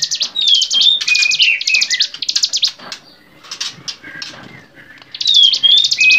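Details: Bar-winged prinia on a songbird training recording: high buzzy trills with a clear falling whistle laid over them, a quieter stretch of softer chips, then the buzzy trill and whistle return.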